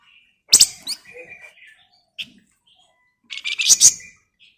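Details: Grey-headed canary-flycatcher (flamboyan) singing in the lively ngebren rapat, nyerecet and nyiul style, meant as a lure to get other birds singing. Two loud bursts of sharp, buzzy chirps are split by thin whistled notes and short squeaks.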